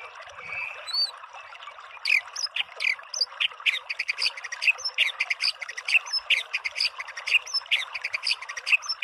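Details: White-rumped shama in a training recording meant to provoke a bird into singing: a rapid, varied stream of sharp chips, slurred whistles and squeaky notes, fairly faint, delivered almost continuously after a brief quiet start.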